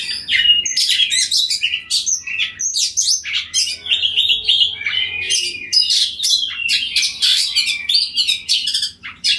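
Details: Oriental magpie-robin, a caged bird in a loud song, calling to other magpie-robins which answer; dense run of varied high whistles, harsh chattering bursts and rapid trills, almost unbroken, with a faint low hum underneath.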